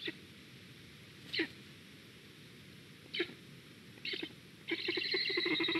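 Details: A Black Stork at its nest in Estonia in 2021, reacting to a squirrel, gives three short, harsh, breathy bursts about two seconds apart, then a longer wheezy, buzzy run of calls over a faint hum.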